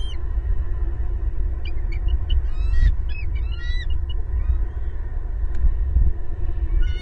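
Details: Southwest Florida bald eagle family at the nest, two adults and two young, 18 April 2022, nest camera: scattered clusters of sharp high chirps and squeals, busiest early on, then quieter, over constant low-frequency noise.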